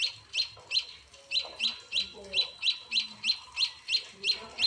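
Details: Hand-fed munia chicks at a house give a steady run of about fourteen piercing, high chirps, nearly three per second. Faint low hums and rustles sit beneath them.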